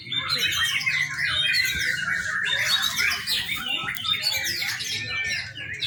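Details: Young white-rumped shama song for lure training: an unbroken stream of rapid high chirps, trills and whistles, loud throughout, steady low hum beneath.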